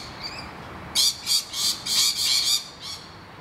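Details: Rainbow lorikeets screeching in distress as noisy miners attack their nest hollow; a run of about six loud, harsh, grating screeches in close succession after a brief quiet start.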